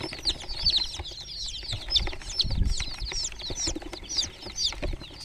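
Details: Several groggy chicken chicks in a water pool chirp over one another, making shrill falling peeps in quick succession, mixed with dull low bumps and sloshing sounds.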